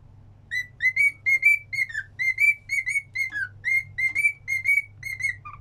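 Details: Cockatiel kept as a pet whistles a sing-along melody, a steady run of short pure notes that rise slightly or fall away at phrase ends, about two per second, with a faint background hum.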